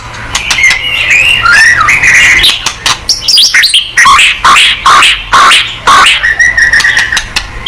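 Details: White-rumped shama in energetic full song, meant to provoke other birds into answering: loud varied whistles with rising and falling slurs, interspersed with sharp clicks and bursts of rapid chattering notes.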